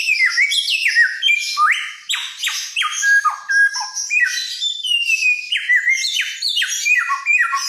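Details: Helmeted friarbird from Nusa Tenggara, a loud mimic among songbirds, giving a dense run of harsh, squawky downward-sweeping notes and short whistles, tumbling quickly with little pause.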